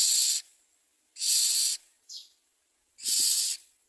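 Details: Common myna at its nest bringing food: three loud, breathy hisses with a brief quieter note between them. A low knock sounds under the last hiss.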